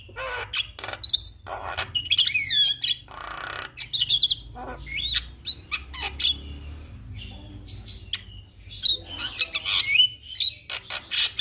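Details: Javan myna (jalak kebo) responding to a lure recording with energetic mixed song: buzzy rattles, looping whistles and harsh screeches, busy and continuous, with a low hum underneath.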